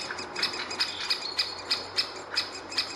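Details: At a great spotted woodpecker nest hole with nestling and parent: regularly spaced, short, high, squeaky calls roughly every third of a second, some notes slightly louder, with soft background hiss.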